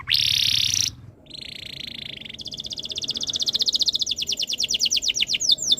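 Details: Canary tutor song to encourage other canaries to sing: a loud dense buzz, a softer level trill, then a long rolling phrase of rapid notes that speeds up and grows louder.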